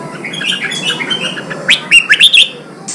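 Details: Red-whiskered bulbul song, played to stimulate newly caught birds and train them for song contests: soft warbling notes, then a loud burst of five or six sharp, whistled, up-and-down phrases near the end.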